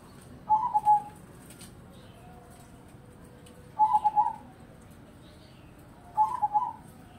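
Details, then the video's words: Zebra dove song from crossbred birds that sing morning, midday and evening: three brief, trilled cooing bursts spaced about three seconds apart, each a rapid cluster of soft, mellow notes over low background hiss. "Perkutut Crossing Gacor"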